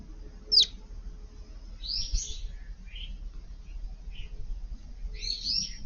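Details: On a hot day on 5 August, Eurasian tree sparrows visiting a garden to dust-bathe in a flowerbed give a few short, high chirps spaced a second or two apart, over a low background rumble; Eurasian tree sparrow.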